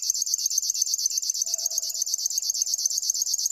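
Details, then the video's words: River warbler singing a dry, insect-like buzzing of rapid rhythmic pulses, about ten per second, steady and mechanical throughout, with a faint low note from another source briefly underneath midway. "try to hear this River warbler"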